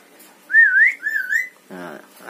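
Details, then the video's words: A smart talking pet Javan myna, which says words like bapak, mamak and opo pak and whistles, gives two clear wavering rising-and-falling whistles, then a brief husky voice-like mimicked sound while people talk nearby. "Jalak kebo pandai bicara"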